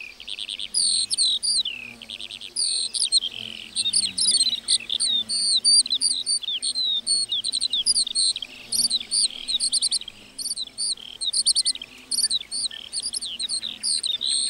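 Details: ['Singing lark over a meadow delivers a long, dense stream of high chirps, trills and quick whistled slurs, tumbling on almost without break, with a soft low drone in the background.']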